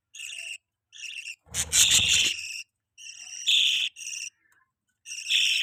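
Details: Budgies feeding a baby bird, kept as pets: grating buzzy chirps repeated at uneven intervals, one loud burst accompanied by rough rustling and thumping.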